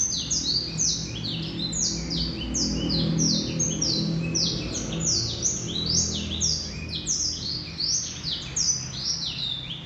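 A male Black-throated canary sings a fast, unbroken twittering song of high, sweeping chirps and trills, over a low background hum.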